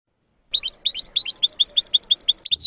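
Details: Goldfinch song chant from a compiled set: a steady stream of quick doubled twittering notes about two seconds long, closing with a sharp descending slur.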